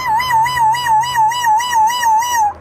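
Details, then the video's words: Pet Grey parrot, prompted by its owner to perform animal and other sound imitations, gives a steady warbling whistle that wavers evenly up and down about four times a second, like a mimicked whine, for over two seconds. "Grey parrot talking making different sounds"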